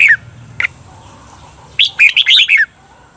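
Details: Red-whiskered bulbul, a cage bird, giving a training song of the doubled 'berl' style: a quick burst of bright warbled notes lasting under a second, preceded by two isolated short chirps, in a quiet background.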